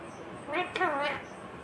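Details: Green ringneck parrot talking: one short speech-like phrase of about half a second, harmonic and slightly wavering, with a brief click in the middle, over a quiet hiss.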